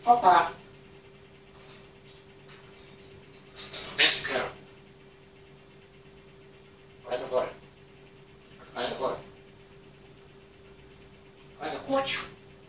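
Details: Kept grey parrot demonstrating its mimicry, phone recording in a room: five separate word-like phrases, some doubled, spaced two to three seconds apart between quiet gaps, with a constant low electrical hum.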